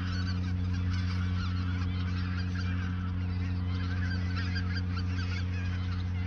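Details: Autumn geese gathered in the Ochsenmoor nature reserve in 2022, shortly before migrating south; many birds honk at once in an unbroken, busy clamour, with a persistent low droning background.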